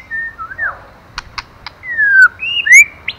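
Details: Female white-rumped shama urging the male: soft sliding whistles, three sharp clicks, then a long descending whistle and bright rising whistled notes.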